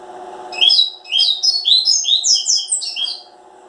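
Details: A single fast seedeater phrase of crisp, high descending and rising chirps lasting about two and a half seconds, with a low steady hum behind it.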